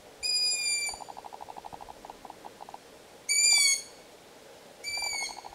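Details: Long-eared owl chicks begging for food give three drawn-out, high, squeaky calls that sag slightly in pitch, like a creaking gate. A fast, dry ticking repeats quietly underneath.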